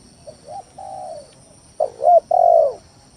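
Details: Lure song of a spotted dove meant to draw rival doves into answering; a short low coo and a drawn falling note, then a louder wavering coo and a long bright downslurred coo, over faint hiss.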